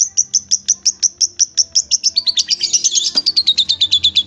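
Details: Long-tailed shrike song used as masteran, a tutor recording for training kept songbirds: a fast series of sharp, high chipping notes, about three per second, running into a denser buzzy, scratchy warble, then more repeated chips.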